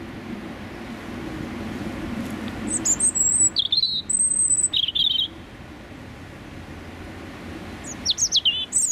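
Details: Male European robin singing his territorial song at close range on a freezing January rush-hour morning in London; scattered thin, very high whistles and warbled phrases with pauses, over continuous traffic hum.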